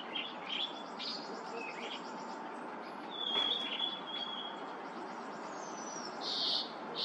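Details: Harris's sparrows singing, recorded 10 April 2023: clear, steady whistled notes held on one high pitch, with scattered short chirps over a constant soft hiss.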